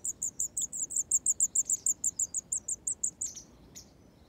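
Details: Grey wagtail: four hungry chicks on a farm in County Kilkenny, Ireland, beg while their parents feed them, making a fast, steady run of very high, thin peeps, about three per second for three seconds, then trailing off.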